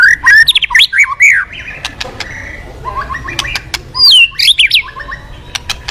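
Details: White-rumped shama in active song, played as a lure to get other birds singing: loud whistled notes and sweeping slurs climbing and falling, quick varied phrases with short pauses, plus brief clicks and a soft background hiss.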